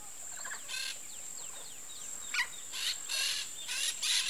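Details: Courting pair of Peach-fronted parakeets (Eupsittula aurea) in Parque das Nações Indígenas, Campo Grande, Mato Grosso do Sul, give harsh, raspy screeches in short bursts about once a second, over a steady high insect whine.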